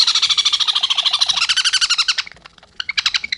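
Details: Sun conure chicks, about 23 days old, begging at morning hand-feeding. They give a rapid, harsh, rasping chatter of about two pulses per second, then a pause and a few shrill squawks.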